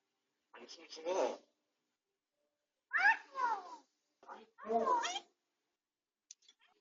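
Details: Captive grey parrot recovering from a beak injury and taking medication, talking during quiet rest, filmed by a home camera indoors: four speech-like phrases with sweeping, voice-like tones and short pauses between them.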